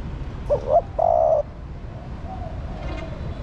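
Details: Caged female spotted dove giving her call to stimulate a male: two quick rising coos followed by a longer, level, hooting note, then quiet with faint background noise.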